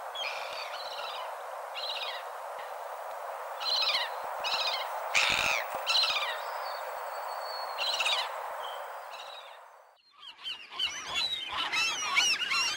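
Gulls give harsh, downslurred mewing cries over steady rushing noise, then many birds call together in a dense, overlapping squealing chorus.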